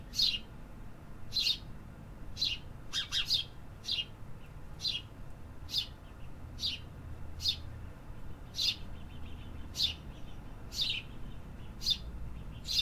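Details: City birds singing in an urban setting: short sharp chirps repeated roughly once a second, each a brief high note, sometimes doubled, over a low steady background hum.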